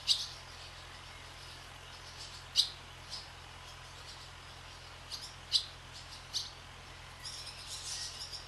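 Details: Barn swallows flying over a swallow farm give brief high, clipped chirps, some in quick pairs, scattered across several seconds against a constant low hum.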